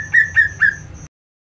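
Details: Greater green leafbird in agitated 'ngentrok' song intended to provoke rivals: three short, clear, even-pitched whistles spaced about a quarter second apart, ending abruptly.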